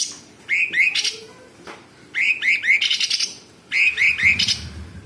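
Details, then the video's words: Sooty-headed bulbul in full 'isian' song, repeating the same phrase three times: a run of three rising whistled notes followed by a rapid harsh, buzzy rattle, each phrase separated by a short gap. "Cucak cungkok gacor Variasi suara tembakan istimewa besetan kasar jeda rapat dan FULL ISIAN"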